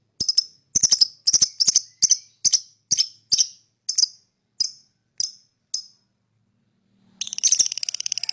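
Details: Lovebird chirping to lure other birds: a series of about a dozen sharp, high chirps in quick clusters that slow and space out, a pause, then a burst of dense, rapid chattering.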